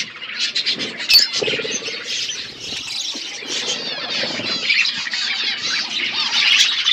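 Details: Continuous high, rasping twitter from budgies, with fast overlapping chirps and squeaky warbles throughout.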